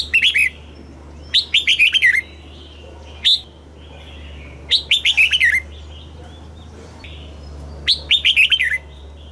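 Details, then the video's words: Southern master-style song from a caged red-whiskered bulbul, meant for rousing birds and tutoring chicks. Four lively phrases of rapid, clear, dropping whistled notes with short single chirps between them. "เสียงนกกรงหัวจุก สำหรับต่อ หรือ เปิดให้นกคึก เสียงเพราะๆ"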